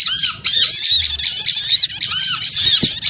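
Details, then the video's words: Small birds in a noisy, busy lure recording: dense harsh chattering and squeaky notes packed between 2 and 8k, with repeated arched downslurred notes near 1.5k, almost continuous with brief gaps. "Suara Pikat Burung Kecil Ribut Ampuh"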